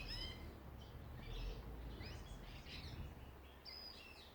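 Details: Australian songbirds singing in a Ballajura, Western Australia backyard: scattered high chirps, short slurred whistles and buzzy twitters spaced irregularly across the clip, with steady low-pitched ambient rumble beneath.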